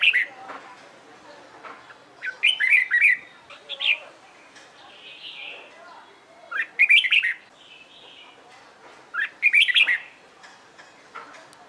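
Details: Red-whiskered bulbul practising competitive song: loud whistled phrases of three to four slurred notes recur every few seconds, interspersed with softer chirps, warbles and light clicks.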